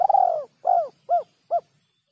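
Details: Spotted dove giving its 'kuk 3' style call: a clean run of four low, hollow coos, the first long and the rest shorter and clipped, with a quiet background.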